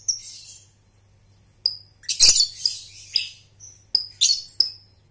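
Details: Lovebird sounds used to train young birds to trill: soft scratchy chatter, then a loud harsh burst, sharp thin whistled chirps and short squeaky notes scattered through the clip over a low background hum.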